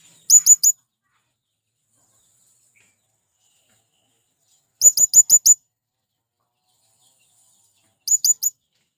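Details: Sharp, very high chirping from a male blue-crowned hanging parrot summoning companions: a short triple burst, a long silence, then five rapid notes and a final three-note burst.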